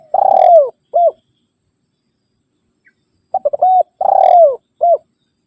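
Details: Rival-calling spotted dove, a sound used to lure wild birds and tutor birds at home. A falling drawn coo and short coo, then after a pause a full phrase of stuttered notes, long descending coo and short final coo.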